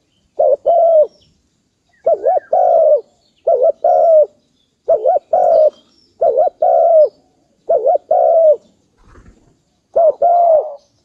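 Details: Long run of dove cooing, about eight phrases in eleven seconds, each a quick note followed by a fuller, slightly wavering coo, repeated at a steady pace.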